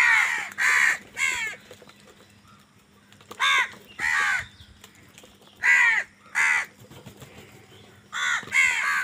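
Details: Loud, raspy crow caws during a squabble over food, in paired or single bursts separated by pauses of a second or two.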